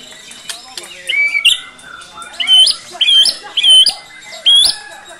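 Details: Caged white-rumped shama singing vigorously with its song material and imitated fill-ins. Short clear whistled phrases repeat several times at a steady pace, each a bright level note with a sharp flourish.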